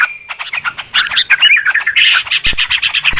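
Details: Clear, noisy Yellow-vented Bulbul (trucukan) calling for use as a trapping lure: scattered chips that build into rapid, loud, buzzy chattering and a steady run of repeated notes.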